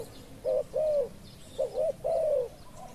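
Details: Spotted dove decoy calling for wild doves: two clear phrases, each a short low note followed by a longer smooth coo that slides downward. Faint distant bird twitters behind.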